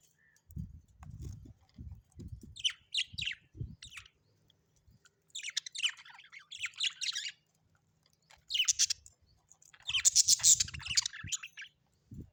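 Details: Several outbursts of budgie chatter from birds kept indoors: squawky, buzzy high warbling phrases separated by pauses, with muffled low tapping early on and a loud crowded burst near the end.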